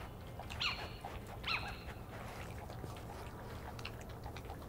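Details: A juvenile Little Owl (Athene noctua), as the observers think, gives two short, sharp, high ringing calls about a second apart over a low rumble. On 25 June 2013 feeding badgers stopped to listen.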